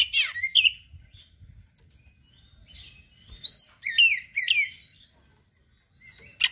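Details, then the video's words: Oriental magpie-robin (kacer) in 'gacor' song with rare learned material: short bursts of sharp down-slurred notes and clipped whistles, separated by quiet pauses, over faint low rumble. "KACER GACOR SPECIAL FULL ISIAN MATERI LANGKA"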